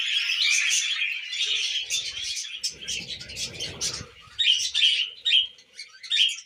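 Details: Pet budgies feeding on millet give loud chattering warbles that break into separate bursts of scratchy chirps in the second half, with a soft rustle in between.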